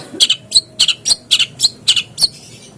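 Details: Long-tailed shrike lure recording for a caged bird, giving raspy doubled chips repeated about three times a second with a chattering rhythm.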